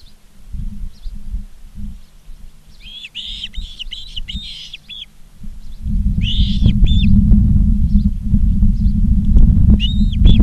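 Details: Ospreys on a live nest cam at Charlo, Montana, 19 August 2023 at 16:05: two bursts of sharp, high whistled chirps in quick runs, separated by a pause, over steady low rumbling wind noise that grows louder later.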